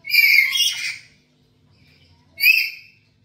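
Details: Screeching black-capped lory at home, a chatty bird recorded as a lure for other birds: one long grating squawk of nearly a second, a pause, then a shorter harsh shriek.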